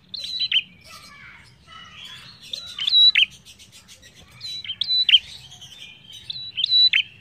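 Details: Lively prinia singing, played as a lure to get other birds singing: bursts of high, thin whistles ending in sharp dropping notes, with softer twittering in between.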